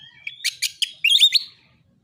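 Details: Narung fighting song of an Oriental magpie-robin, meant to stir rival birds into singing. A thin whistle leads into rapid harsh chattering notes, then a brief run of sweet, slurred whistles.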